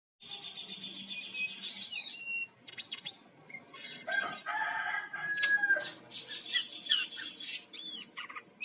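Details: Brown-chested jungle flycatcher from Bali, song used as a lure to make other birds sing: busy varied phrases of rapid high trills, slurred whistles and short rising notes, with dense overlapping chatter.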